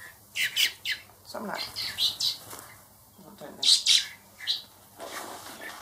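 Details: Four baby blackbirds raised by hand for release call in rapid, raspy high chirps, loud pairs of squeaks repeating at irregular intervals, with soft rustling and a faint steady tone underneath.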